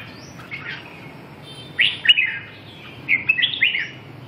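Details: Red-whiskered bulbul: after a quiet start, two lively bursts of bright, slurred whistled notes, the second phrase longer and bouncing up and down, with faint hiss behind.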